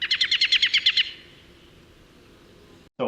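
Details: An American robin gives its whinny call, used mostly for interacting with other robins: about ten sharp, high notes in a rapid run lasting a second, then quiet, with a brief voice at the end.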